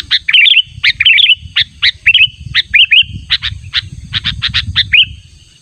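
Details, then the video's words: Sooty-headed bulbul insistently summoning a rival, natural calls for luring: repeated bubbly two- and three-note warbled phrases mixed with crisp chips, fading at the end over low rumbling background. "Pikat Burung Kutilang Panggilan Ter ampuh suara alami"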